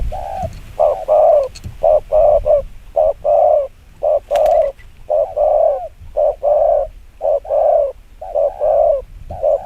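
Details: Spotted dove cooing in the very fast 'gù kích bổi' style: low mellow coos in quick pairs, a short note then a longer one, repeated about once a second with brief gaps. A few faint clicks are audible.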